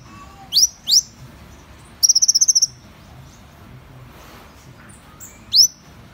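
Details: Van Hasselt's sunbird with two thin upward-sliding whistles, a pause, a brief rapid high trill, then another rising whistle after a long silence.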